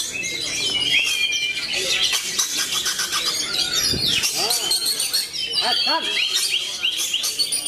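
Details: Performing kacer matador magpie-robin: a rich, varied song of sliding whistles, with quick downward-swooping notes and rapid chips, while other birds chirp densely throughout.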